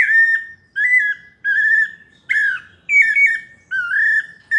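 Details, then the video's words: Pale-breasted thrush (sabiá parda) giving melodious paulista song: six short, pure whistled phrases, each slightly wavering or ending in a downward slur, separated by brief silences. "Sabiá parda paulista canto melodioso"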